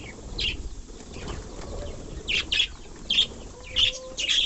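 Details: Budgerigars bathing, giving short, scratchy high chirps in uneven bursts with soft fluttering and splashing.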